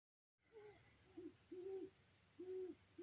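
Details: Owls hooting at 4:08 am on October 19, 2024, when the moon cleared after several days of thick marine-layer fog: low, soft hoots, each lasting about a third of a second and repeated roughly once a second over a faint, steady rumble.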